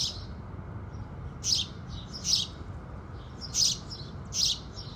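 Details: At sunrise, a house sparrow gives four loud, sharp chirps about a second apart, with fainter chirping behind and low background noise.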